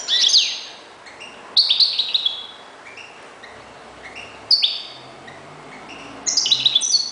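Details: Captive European goldfinch, a keeper's reclamo. It gives short separated phrases of bright twittering, some with sliding, rising notes. A brief quiet stretch comes mid-way, and faint low background hum is audible.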